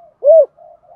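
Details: Spotted dove, the giọng thổ calling style: one soft arched coo, smooth and hollow, followed by faint lower humming notes in a quiet setting.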